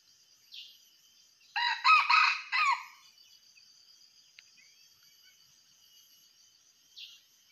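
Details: A wild junglefowl, during decoy trapping, gives one short, clipped crow of about four quick harsh notes, over a steady high insect hum and faint chirps.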